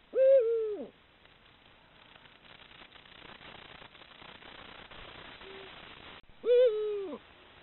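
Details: Camera-trapped Eurasian eagle-owl at the onset of the breeding season, calling to pair up. Two deep, level hoots about six seconds apart, each dropping slightly at the end, with a faint murmur of background noise between them.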